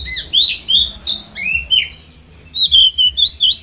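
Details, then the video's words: Oriental magpie-robin (Copsychus saularis), a kept songbird at daily voice training, singing a rich run of clear whistled notes with sliding upward and downward phrases and brief chattering, in short bursts separated by tiny pauses. "Chích chòe than hót hay - Luyện giọng chòe than mỗi ngày"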